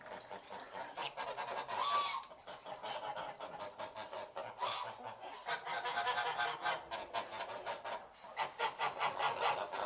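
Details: Geese honking in a noisy group, harsh nasal calls tumbling over one another in quick irregular bursts, with one louder honk near two seconds and a steady chatter running through to the end.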